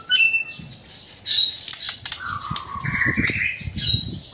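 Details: White-rumped shama from Sabah, Borneo, giving harsh, squawky notes mixed with a long, low, rising whistle, in a mix of relaxed and loud song.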